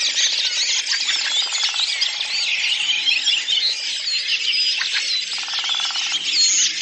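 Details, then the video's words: Redwing flock singing collectively in April 2019 at Lipovaya Gora, Oka Nature Reserve, Russia: a dense, unbroken chorus of many overlapping high twittering, squeaky and chirping notes, with faint low pulsed buzzing twice in the background. "Белобровик Turdus iliacus, коллективное пение стаи / song of the Redwing flock"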